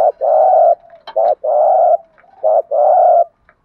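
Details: Spotted doves, cock and hen, cooing to stimulate a trained bird; mellow low coos in three short-then-long pairs, fairly evenly spaced, with faint clicks between phrases.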